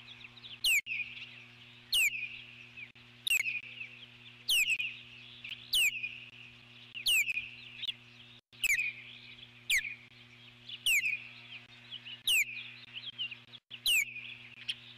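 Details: Nesting eagle calling in alarm at a large intruder bird flying near the nest, July 2014: a regular series of thin, high, downslurred piping notes roughly every second, with a constant low hum beneath.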